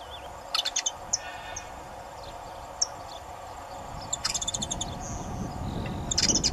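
Saffron finch giving short bursts of bright, clipped chirps in irregular clusters over a steady low rumble of background noise.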